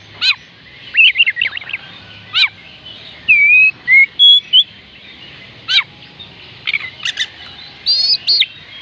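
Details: Oriental magpie-robin (kacer) song, used as a call to get reluctant birds to sing: clear separate whistled phrases, some sharply falling, some rising slurs and short trills, spaced by pauses of a second or more, over a quiet background.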